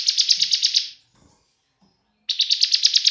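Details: Young Bar-winged prinia (ciblek semi) in loud 'bren' singing mode, used as a lure to make other prinias sing: rapid buzzy pulsed trill for about a second, a silent gap, then the trill starts again.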